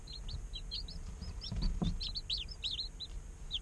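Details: Day-old chicken chicks chirping in an incubator: lively overlapping high peeps, arched and slurred, from several chicks, with a soft thud and rustling in the middle.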